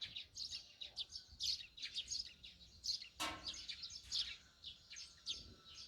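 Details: Morning chatter of Eurasian tree sparrows near a rural home, a steady run of quick high chirps and twitters from several birds, one brief sharp knock midway.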